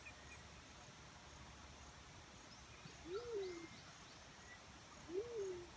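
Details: Black-chinned fruit dove calling: two soft, low hoots spaced about two seconds apart, each rising then falling away, over steady quiet background hiss and faint distant chirps.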